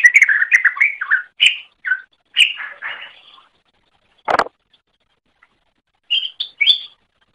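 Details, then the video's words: Greater green leafbird song for tutoring other songbirds: fast, jumbled chattering whistles, then short separate phrases. A loud dull knock sounds midway, followed by a few clear high whistled notes. "Masteran Suara Cucak Ijo"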